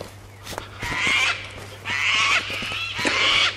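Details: Wild cockatoo going nuts in the background of a garden, giving three loud harsh rasping shrieks, each about half a second long and roughly one second apart, with faint clicks and a low hum.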